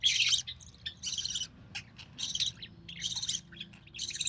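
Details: Budgerigar chick of recessive pied colouring, born early June 2020, during feeding by its albino red-eyed mother: short scratchy bursts roughly every half second to second, separated by brief quiet gaps.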